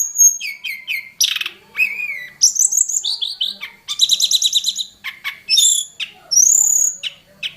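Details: Hill prinia of the mountain forest, a wild bird with many song elements, rattling off fast chips, buzzy trills and clear high whistles in quick succession.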